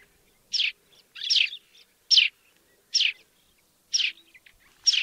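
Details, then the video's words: African sparrow calling with a run of sharp, high chirps spaced almost evenly, roughly one per second, one note slightly longer and harsher than the rest; the setting is otherwise quiet. "Воробей. Африка. Голоса птиц"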